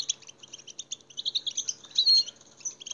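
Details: European goldfinch twittering song for stirring other goldfinches to sing: quick, high, bell-like chirps rising into a louder buzzy, rolling phrase near the end.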